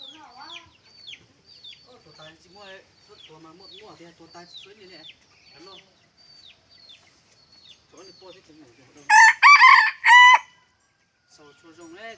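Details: Large decoy red junglefowl rooster, 27 October 2020: after many soft, high, repeated downward chick-like peeps, a loud harsh crow rings out in three broken bursts near the end.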